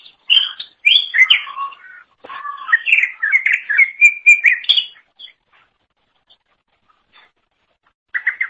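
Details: Greater green leafbird in lively song meant for tutoring other songbirds: varied warbling phrases mixing low and high slurred whistles for about five seconds, then near-silence before a short chattering burst.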